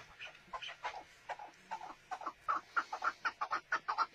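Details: Chukar partridge calling in a series of short clucking chuck notes, irregular and softer at first, then steadier and louder in the second half at roughly three notes per second.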